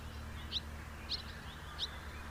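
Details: House martin giving three brief chirped notes about half a second apart over a low background hum.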